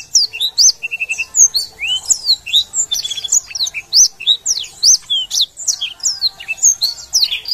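A Black-throated Canary sings a fast, unbroken warble of high, sweet chirps and slurred whistles, with brief rattling trills mixed in.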